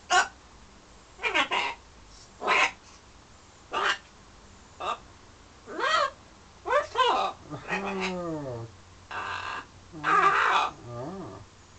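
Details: Pet parrot in London flirting with its mirror image and with birds outside the window: a series of short, harsh squawks and nasal, wavering calls, spaced about a second apart, growing longer and more warbled near the end.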